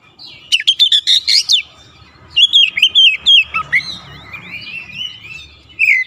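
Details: Oriental magpie-robin singing loudly: bursts of sharp, high chirps and rapid whistled trills, then varied sliding whistles, with a faint low hum beneath.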